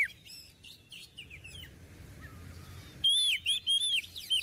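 Oriental magpie-robin singing a varied run of sweet, high whistles and quick slurred notes. It starts softer and more scattered, then turns into loud, ringing phrases.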